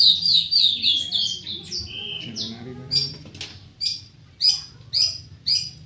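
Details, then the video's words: Long-tailed shrike song: quick high twittering phrases sliding downward, then sharp chip-like notes spaced about half a second apart, over a faint low murmur of background noise. "Burung cendet"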